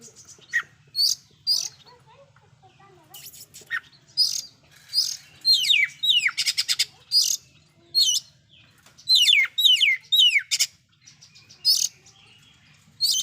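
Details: Magpie-robin, oriental, pouring out a loud fill-in-laden song that makes other magpie-robins agitated: a long series of sharp high notes and rapid clusters of downward-hooked whistles and rattles, some packed into quick runs, with brief gaps and a low hum.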